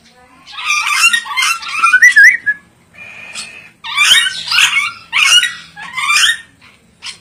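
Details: Ornate lorikeet, a clever parrot species endemic to Sulawesi, giving bursts of harsh, raspy screeches in quick clusters, with short pauses between groups and a brief buzzy note in the middle.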